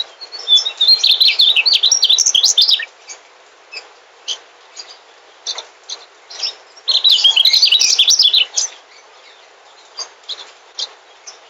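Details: Migrant mugimaki flycatcher delivering two bursts of quick, high-pitched warbling song about five seconds apart, each roughly two seconds of jumbled twittering notes, with sparse short chirps in between.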